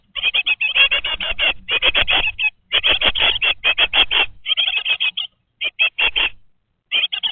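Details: Great tit nestlings, 20 days old, in a webcam-monitored nest box produce a dense, almost nonstop stream of harsh, high chirps, later breaking into shorter groups, with soft low rumbling underneath.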